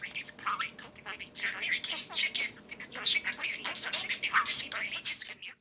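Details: Two pet parakeets conversing and playing together, one doing most of the talking: a continuous, busy, high-pitched warble of rapid chirps, squeaks and clicks in uneven bursts, with brief sharper notes standing out and no other sounds.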